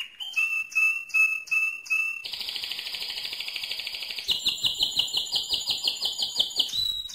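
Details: Strong mosaic canary song opening with five evenly repeated whistled notes, then a dense buzzy roll, then a faster pulsing tour that rises in pitch toward the end.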